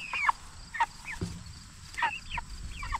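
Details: Jumbo Cornish Cross broiler chickens, 44 days old, raised for meat: a few scattered high, arched peeps, each sliding downward, separated by pauses, with a low thump near the middle.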